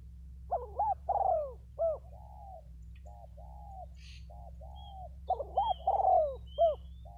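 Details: Spotted doves, two decoy birds, cooing: short hooked notes run into a longer, falling, drawn-out coo. The phrase repeats twice with softer single coos between, over a steady low hum.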